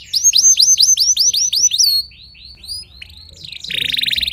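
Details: Early-morning training song of a Timbrado canary, with a fast run of downward-curving whistles that gradually softens, a quiet pause, then a loud rapid rattling trill.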